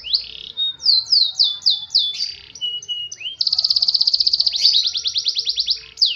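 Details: Faba SF canary singing a run of quick descending slurred notes, a few short flat whistles, then a long rapid trill of evenly repeated pulses, sung loudly and close with little background noise.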